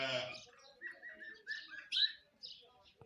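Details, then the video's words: Morning myna phrase: a harsh, nasal opening note, then a string of gurgling mid-pitched notes and one sharp high whistle, ending in faint clicks. "singing myna indian birds morning birds sounds"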